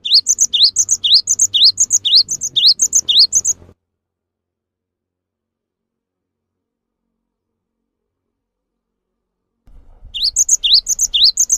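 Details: Gelatik batu, the cinereous tit, in a long singing bout. The bright rising note and paired high whistles repeat rapidly for almost four seconds, then six seconds of silence, then the same phrase resumes.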